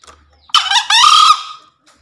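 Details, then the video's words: Green junglefowl crow used as a daily master recording for newly caught forest birds or lazy callers: a sharp harsh onset, brief break, then a strained buzzy second part trailing off after about a second. "Suara Masteran HARIAN Kelangenan Ayam Hutan Hijau Istimewa"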